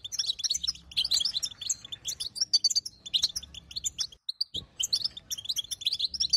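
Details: Chattering of a female European goldfinch, used to prompt a silent male to sing: bright, high-pitched twitters and tinkling notes in quick clusters, broken by a brief silence and a soft knock partway through.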